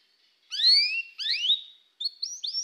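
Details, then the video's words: Canary singing in three short bursts: bright upward-sweeping whistled notes with fainter parallel strands, then a quick run of rising high chirps, separated by brief silences. "canário parar de cantar? toque imediatamente este encantador som de canário"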